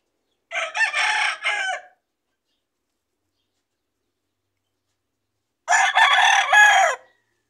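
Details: Two loud crows from a household rooster living among chicks and fruit trees, separated by about four seconds of silence; each crow is a harsh, broken, stuttering phrase of several syllables lasting over a second, with no other sounds.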